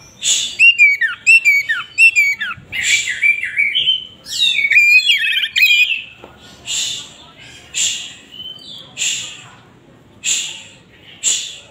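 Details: Tail-spreading Oriental magpie-robin singing hard: a fast run of bright, downward-slurred whistles and warbles, then a series of harsh rasping bursts repeated roughly every second.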